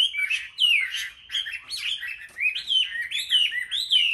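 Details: A Chinese hwamei, caged among chosen market birds in Vietnam, singing in competition, with loud, fluty downslurred whistles in short bursts separated by brief pauses, each note bending down then lifting again.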